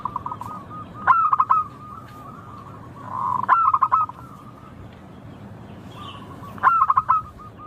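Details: Indonesian local zebra dove with a clear, melodious song. Three stuttered cooing phrases about 2.5 seconds apart, each made of quick clipped notes. One is preceded by a soft purring trill. Quiet background.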